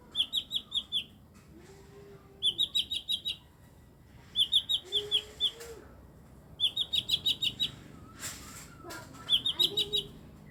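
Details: Eight-year-old mini blue-winged leafbird delivering five evenly spaced bursts of fast, sharp, high chips, with soft lower whistles between them.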